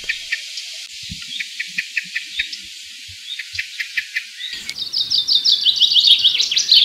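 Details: A common blackbird in a summer garden near Arras, France, gives sharp, clipped alarm notes, repeated several times a second, warning others of danger.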